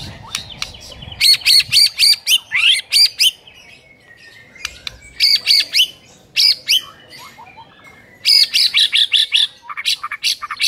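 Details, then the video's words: White-rumped shama lure used in the morning to teach a silent bird to sing: groups of harsh high buzzy notes delivered in quick runs, separated by short pauses. "PANCINGAN PAGI HARI UNTUK MELATIH MURAI BATU BISU AGAR CEPAT GACOR"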